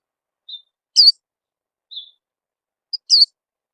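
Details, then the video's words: White-eye lure call meant to prompt kept birds to start singing: sparse, very high chirps, with soft short notes alternating with louder, sharply falling chirps about every two seconds. Silent background. "suara pikat burung peleci"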